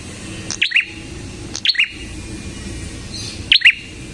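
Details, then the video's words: Prenjak kepala merah, the red-headed prinia, singing three separate chirps, each a piercing high note sliding into a lower second note, with gaps of a second or more between them. "SUARA BURUNG PRENJAK KEPALA MERAH GACOR"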